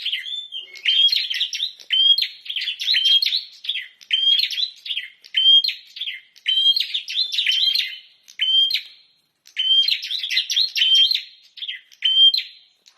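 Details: Bar-winged prinia singing energetically, a loud chattering song of repeated bursts, each a flat whistled note near the top mixed with sharp buzzy clicks, phrases about a second apart, clean quiet background.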